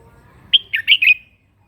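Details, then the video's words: Red-whiskered bulbul with crest, singing a morning contest song to provoke other birds: one sharp whistle followed by a quick run of three rolling, liquid notes, nearly clean background. "kích chào mào mũ hót đấu buổi sáng luyện giọng kích chim hót căng lửa"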